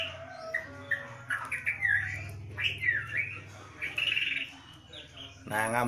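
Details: Caged white-rumped shama during a lockdown, giving loud slurred whistles and scratchy phrases separated by short pauses, closing with a rapid rattling burst.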